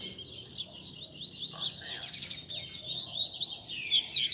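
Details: Several captive double-collared seedeaters sing together in a warm-up chorus for a competition bird, on a Sunday among bird keepers. Continuous high, rapid, jumbled twittering with sharp whistled notes rising toward the end.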